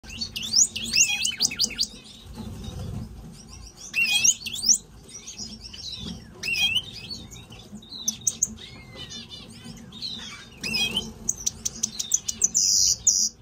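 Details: Major goldfinch kept in an aviary singing a fast, twittering song of high trills, buzzy notes and sharp rising and falling whistles, given in bursts separated by short pauses, with a low room hum beneath.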